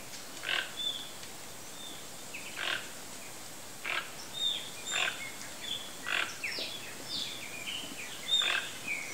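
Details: Wild, free-living Toco toucan (Ramphastos toco), known locally as Tucanuçu, giving coarse, croaking calls repeated roughly every one to one and a half seconds. Other birds whistle and chirp in the background.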